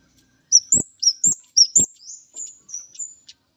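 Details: Orange-headed thrush male singing on encountering a female, a run of six sharp, upslurred whistles about every quarter second, then three thinner, fading drawn-out whistles, with low thuds beneath the first notes.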